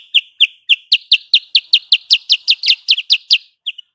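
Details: Sooty-headed bulbul lure sound used for bird trapping: a rapid series of sharp, high, downward-slurred chirps, about four per second, running steadily for over three seconds before a brief pause and two final notes; no other sounds.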